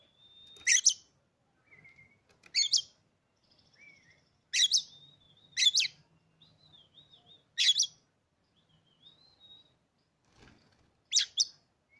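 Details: Oriental magpie-robin kept in a cage, newly bought after staying silent with its previous owner, repeats loud raspy notes every two seconds or so, interspersed with soft whistled phrases and thin wavering whistles.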